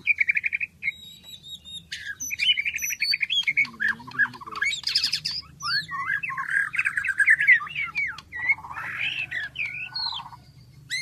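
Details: White-rumped shama, called murai batu, singing a varied, loud song of rich whistles, rising and falling slurs, and buzzy trills, with quick changes of phrase and brief high notes.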